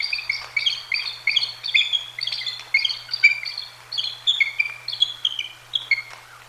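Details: At the Decorah North live-cam nest, a bald eagle pair mating: continuous high-pitched twittering, short bright notes stacked in quick bursts a few per second, slightly fading toward the end, with low background hum.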